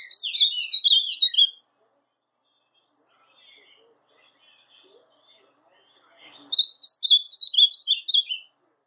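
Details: Brown-plumaged captive Ultramarine Grosbeak singing a song used to rouse other grosbeaks: two quick warbled phrases of high, sliding chirped notes, each about one and a half seconds long, separated by a long quiet gap with faint background sounds.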